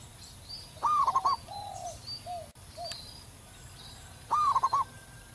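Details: Zebra dove singing freely in the wild with a large voice. Two quick, pulsing coo phrases, soft lower coos between them, a brief click, and faint high birdsong behind.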